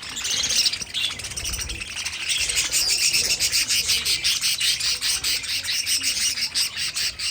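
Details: Pet budgerigars kept as an aviary colony: dense, overlapping high chirps and warbling chatter, growing into a rapid pulsing series of short bright notes over the second half.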